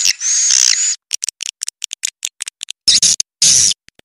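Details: Roosting lure call of edible-nest swiftlets: a long high buzzy chatter, then a run of quick dry clicks, followed by two more short bursts of harsh, rasping buzz.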